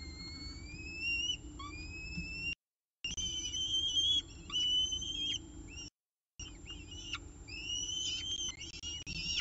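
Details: Peregrine falcon nest in Orange during the evening meal, recorded by nest camera on 18 October 2018 at 6:51 pm: repeated high, whistled calls, long flat or slightly rising notes and short rising slurs, several voices overlapping, with steady low background hum.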